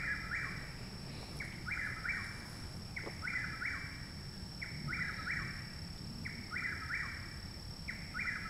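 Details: Chuck-will's-widow singing loudly very near a home in Parkersburg, West Virginia, on 29 May 2019, a full month after arrival; quick three-part whistled phrases, a short note then a rising-falling slur, repeated about every second, over a steady high hum and low rumble.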